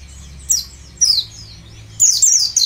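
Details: Lure song of a ngalas-type white-eye meant to get birds singing: brief high, sharp chirped phrases at half-second to one-second intervals, ending in a denser twittering run.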